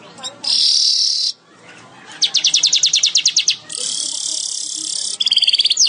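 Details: Weaver in active song: a loud hissing buzz, a pause, a rapid train of sharp repeated notes, another long sizzling buzz, then a final quick burst of notes.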